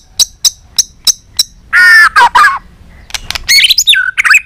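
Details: White-rumped shama in a recording meant to excite shamas into singing and tail-flicking; five sharp dry clicks, then a harsh rasping burst, a short pause and a jumble of high twittering whistles.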